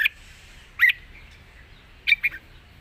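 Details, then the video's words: Red-whiskered bulbul in a long-song style with light, wild-sounding phrasing: three short, bright, liquid note bursts spaced over about three seconds, separated by quiet gaps with a faint low hum. "เพลงยาว ปากเบา ร้อง+ริก /สำนวนป่าๆ"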